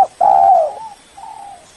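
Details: A single long, even coo from a spotted dove used for luring a rival, followed by a softer, fading coo.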